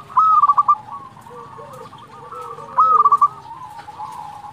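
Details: Two brisk phrases of five or six rapid knocking coos from a local zebra dove, about two and a half seconds apart, with quieter dove cooing filling the gaps.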